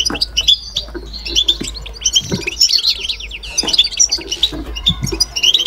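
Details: European goldfinch kept in captivity, giving batbata song: dense high tinkling chatter with rolling trills and sharp chips, over a steady low hum and occasional thuds.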